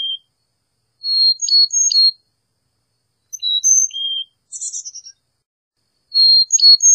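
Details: Carolina chickadee giving three short whistled phrases of alternating high and low pure notes, separated by pauses, with one brief buzzy burst in the middle; quiet otherwise.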